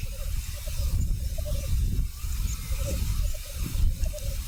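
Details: Black grouse lekking in North Wales: continuous bubbling rookoo phrases, evenly pulsed and unbroken, over loud gusty wind rumble.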